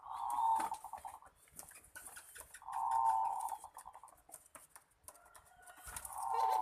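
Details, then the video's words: Dove in a cooing contest giving loud, steady, low hollow coos, each held nearly a second and repeated about every two and a half seconds, with faint higher chirps and background rustling. "Sabung burung puter"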